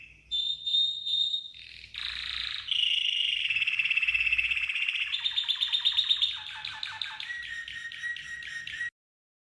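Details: Training song of a red canary: pure high whistle, then a loud rolling trill, chopped descending notes and a final steady series of quick repeated chirps before stopping.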